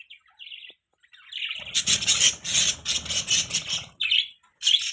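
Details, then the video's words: Budgerigars chirping: a few short high chirps, then a dense burst of rapid, buzzy warbled chatter with brief low flutters, ending in scattered chirps after a short pause. "Beautiful Budgie Parrots Chirping Sounds"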